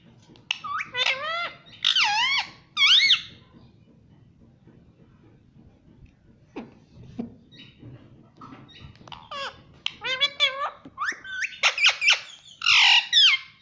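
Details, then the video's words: Household parrot talking, repeating 'mummy': clusters of harsh bending syllables at the start, a quiet stretch with low background murmur, then a dense flurry of chattering squawks toward the end. "nonstop mummy bolta mithu || parrot talking everything"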